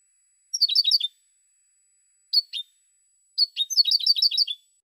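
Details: European goldfinch singing three phrases of sharp, high, tinkling twitters; a short opening burst, two isolated chips, then a longer rapid run of liquid notes repeated quickly; clean background.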